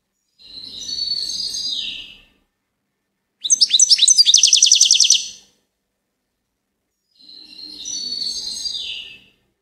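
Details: Three high phrases from a goldfinch: a slurred buzzy warble, then a rapid string of sharp chirps run into a trill, then another descending buzzy warble, with quiet pauses between.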